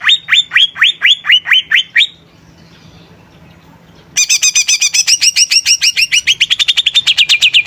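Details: Vigorous song of a greater green leafbird: a run of rising swept notes, a short quiet gap, then a fast train of high layered chirps that slide lower toward the end.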